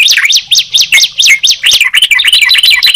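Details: Sunda pied chat and yellow-vented bulbul: sharp up-and-down chirped notes repeated several times a second, giving way to rapid high twittering.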